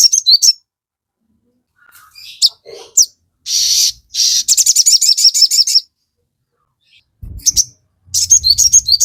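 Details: Lure song of a crested jay meant to rouse birds into replying: clipped high notes, a burst of noisy buzz, then rapid strings of shrill repeated chirps, with a brief low hum near the end.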